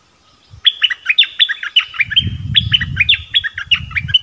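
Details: Bulbul singing a long, steady run of crisp chirped notes, each with a sharp start and a falling tail, repeated rhythmically over low rustling and handling noise.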